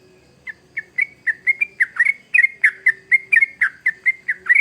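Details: Vigorous trucuk, the yellow-vented bulbul, singing as a lure for young birds: scattered notes at first, then a quickening chatter of rich, slurred, gurgling notes. A steady low hum runs beneath.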